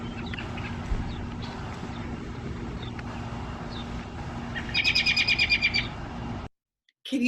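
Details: American Robin alarm call, warning other birds of nearby danger: a quick burst of about eight sharp, high notes over a second, over a steady low hum and background noise.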